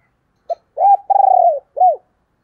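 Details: Female spotted dove cooing one clear phrase: a short note, an arched coo, a long purring croo that droops at the end, and a final rounded coo.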